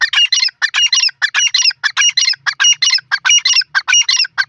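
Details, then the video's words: Grey francolin calling, a sound used to lure and catch wild francolins in Pakistan; a continuous run of loud, scratchy, high ringing phrases, roughly two and a half each second, closely spaced and even, in an otherwise quiet background. "teeter boli grey francolin video teetar shikar voice"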